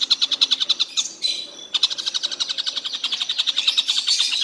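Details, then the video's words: Collared kingfisher calling constantly through the day: sharp, buzzy notes repeated quickly, broken by a brief scratchy interruption, then continuing in a steady rapid series. "Tengkek buto seharian bunyi tidak berhenti"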